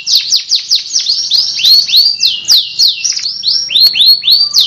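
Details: Canary in full song, delivering a quick series of downward-curving whistled notes, about three to four per second, bright and high.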